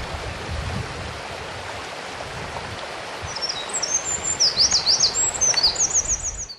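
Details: A Eurasian wren at the Kogesawa forest road, Ura-Takao, Japan, breaks into song after three seconds of rushing stream: a rapid cascade of very high, sharp, zigzag notes and trills.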